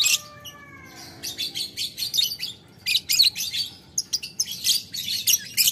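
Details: Lovebird answering a rival in long ngekek chatter: a brief falling whistled note opens, then a fast, sustained stream of shrill rasping pulses, several per second, continuing to the end.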